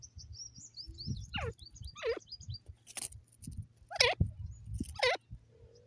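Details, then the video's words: Grey francolin in grass, giving loud, steeply descending sweeping calls in four bursts about a second apart. Thin high chirps of another bird run through the opening, with low rustling beneath. "Grey Francolin in grass dasi Teetar ki awaaz"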